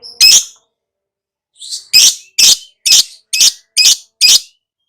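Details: Pet lovebird heard in a therapy-style recording, giving loud harsh high chirps: one burst, a pause, then six rapid screechy notes at roughly half-second intervals.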